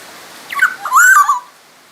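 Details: Black-naped oriole from Sumbawa used to teach other songbirds, singing one mellow fluted phrase with a short lead-in note followed by a longer whistled glide that falls away.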